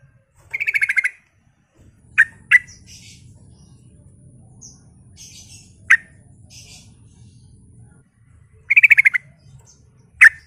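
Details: Sooty-headed bulbul singing eagerly as a lure for other bulbuls: a fast pulsed rattle, scattered single and paired chirps, soft twittering and a steady low rumble, then the rattle once more and a final sharp chirp.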